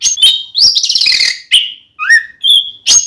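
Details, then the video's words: Fighting song of an oriental magpie-robin, loud 'ngeplong' singing used to make another male angry. A dense harsh, chattering phrase is followed by separate whistles: a rising slur, a steady high note and a sharp closing note. "SUARA BURUNG kacer gacor NGEPLONG tarung ini AMPUH buat PANCINGAN KACER agar EMOSI"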